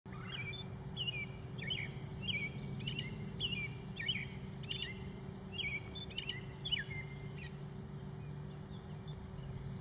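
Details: A leucistic American robin sings a steady string of short, clear whistled phrases, about one per second, rising and falling, over a low rumble and a steady hum.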